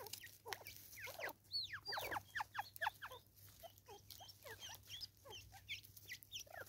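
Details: In South Africa, a Natal spurfowl utters its raucous call as a string of sharp, falling chattering notes, about two a second, uneven in rhythm, with a steady low hum behind.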